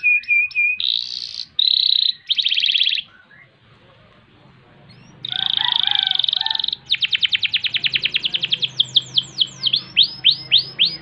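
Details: Canary pouring out ngerol rolls and nembak bursts, used for tutoring and luring other birds: short buzzy rolls broken by a brief pause, then a long trill that breaks into ringing, downward-sweeping whistles.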